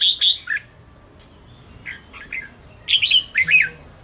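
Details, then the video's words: Red-whiskered bulbul, Ché type, singing a fighting song to stir up weaker rival birds. A loud whistled phrase opens, then a quiet stretch, then two more bursts of quick slurred notes. "Chào mào Ché kích bổi căng lửa/Kích chào mào sổ bọng/Chào mào hót đấu kích chim yếu lửa cực sung"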